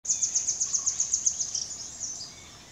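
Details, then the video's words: A Velvet-fronted nuthatch calls with a rapid series of very high, sharp chipping notes, about seven a second, that blur together and fade after two seconds. "Velvet fronted Nuthatch calling"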